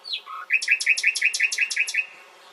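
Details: Nightingale song: a falling whistle and a short low buzzy note, then a fast, even series of about nine loud repeated notes against a quiet, clean background.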